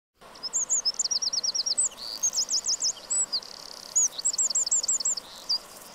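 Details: Eurasian wren delivering rapid runs of sharp, high, ticking notes, each burst a quick series of five to seven repeated elements separated by short gaps, over a steady background hiss.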